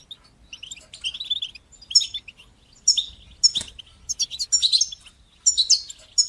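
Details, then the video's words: Goldfinch song for encouraging young goldfinches to sing, batbata and sastasa style: soft twitters building into louder fast runs of sharp, jangling high notes, with one sudden click. "تقنيات تحفيز طيور الحسون لتشجيع نجاحها في التغريد بتبتة وستستة"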